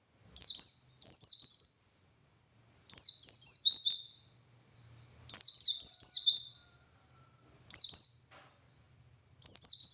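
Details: Wild white-eye (pleci) in ngalas singing style, a master recording used to train other white-eyes to sing: high, rapid twittering phrases of descending slurred notes, each about a second long, repeated in bursts separated by short pauses.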